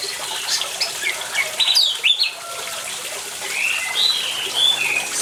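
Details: Orange-headed thrush singing against running water: short whistled and slurred phrases, a louder cluster of sharp notes near the two-second mark, then softer warbling.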